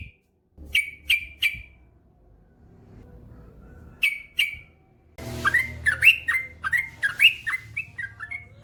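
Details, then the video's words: Yellow-vented bulbul (trucukan), male, singing in long ropel style: three sharp whistled notes, a pause, two more, then a rapid bubbling stream of warbled, slurred phrases. "SUARA trucukan gacor ropel panjang"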